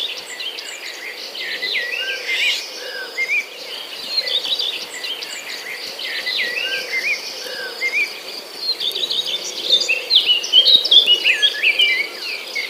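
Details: Chirping birds among green corn plants and palm trees, giving scattered short slurred notes and twitters that grow busier toward the end, over a constant high insect drone and faint low humming.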